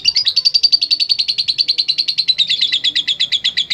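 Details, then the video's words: Lovebird in full voice giving a long ngekek chatter, rapid high buzzy notes about seven per second held steadily for the whole stretch without a break, meant as a training recording for other birds. "LOVE BIRD GACOR NGEKEK PANJANG"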